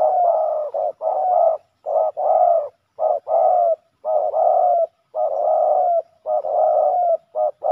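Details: Male spotted doves clashing at a ground decoy trap, pouring out a dense, nearly unbroken run of loud, throaty coos in short and long notes, steady and close.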